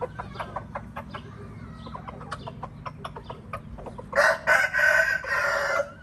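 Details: Wild red junglefowl in Laos: soft scattered clucks and clicks for four seconds, then a loud, harsh, drawn-out crow in several broken segments near the end.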